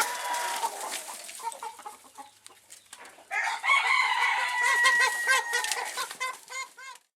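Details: Over-excited Phoenix rooster. Soft clucking gives way to a long, loud crow with a drawn-out middle note, followed by a quick run of short, rhythmic clucks.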